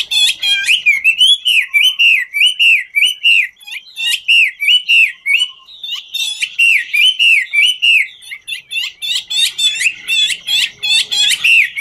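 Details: Chinese hwamei sings as it dances, a fast, loud series of arched whistled notes repeated about three per second, interspersed with crisp ticking sounds, sustained throughout.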